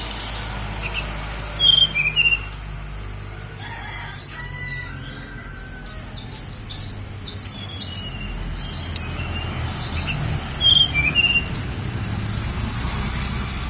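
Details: Snowy-browed flycatcher song recorded on Mount Songgo Langit: two phrases of descending, sibilant high whistles about eight seconds apart, with scattered thin twitters and clicks between them over low rumbling background.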